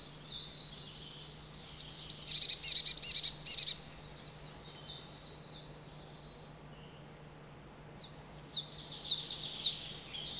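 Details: A coal tit at a garden bird pond in the Veluwe gives two bursts of thin, very high notes, each a fast run of about two seconds, over a faint low steady hum.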